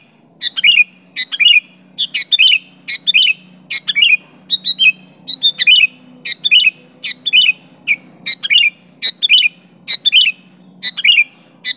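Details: Rival-challenging calls from a sooty-headed bulbul, natural and without fill-ins; a long, fairly steady stream of cheerful chirped phrases with curling, falling whistles, a bit over one per second, on a faint low drone.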